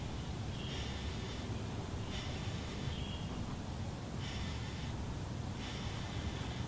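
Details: Red-bellied woodpecker nestlings, about day 23 of nesting, give raspy, buzzy begging bursts about a second long, repeating every second or two over a steady low rumble.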